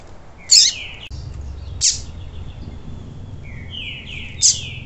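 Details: Double-collared seedeater, a cold post-moult bird, in a recording used to stimulate singing. Sharp, high chips, each followed by short slurred whistles that drop in pitch, spaced about two seconds apart over a faint low hum.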